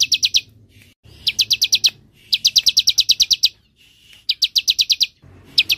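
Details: Bar-winged prinia in semi-style song, used as a lure to prompt singing and as a master recording for songbirds: bursts of rapid, high, sharp repeated notes, about ten per burst, separated by short pauses.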